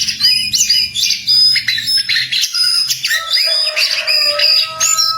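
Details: Wild jongkangan in lively song, fast chattering phrases of scratchy chirps and high whistles, with faint low hum in the background.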